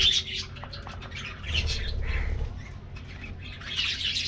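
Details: Colony of aviary budgerigars receiving a morning treat: scattered chirps and squeaky warbles in short bursts with brief quieter gaps, plus fluttering and a low hum.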